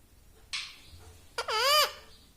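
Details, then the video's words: Pet ring-necked parrot in a room repeating a short word-like sound, one noisy burst then a single loud dipping squeaky syllable over low background hum. "Talking parrot || mitthu mitthu || tota || Bolne wala tota"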